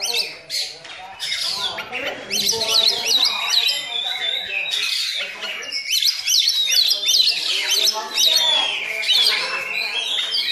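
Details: Young Oriental magpie-robin singing loudly while mimicking a black-winged myna: bursts of rapid, varied whistles and harsh squawky notes, with stacked buzzy tones in places and constant chatter throughout.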